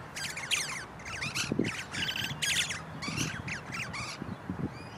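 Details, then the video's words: Wild musk lorikeets, a pair perched in a big pepper tree, talking and singing with rapid harsh screeches and buzzy chattering bursts, nearly continuous, over a low rumbling background. "Beautiful Songs of wild musk lorikeets"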